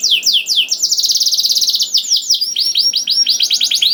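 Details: Canary singing as a masteran for other canaries: a few falling whistles, a fast rattling trill, then quick repeated downslurred notes in lively tours.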